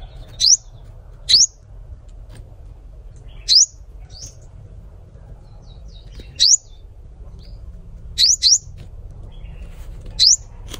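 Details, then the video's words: A sunbird sings thin, high, sharply rising notes, singly or in quick pairs, every one to three seconds, over a faint low hum. "Hút mật 7 màu hót"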